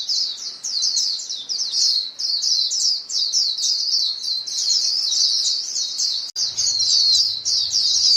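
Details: A flock of white-eyes calling each other in fast, high, downslurred chirps, densely overlapping. A momentary cut comes near the end, followed by a faint low hum under the twittering.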